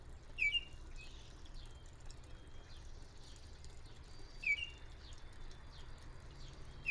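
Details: Baltimore oriole at sunrise giving short, sharp whistled notes about every four seconds, over faint distant birdsong and a low background rumble.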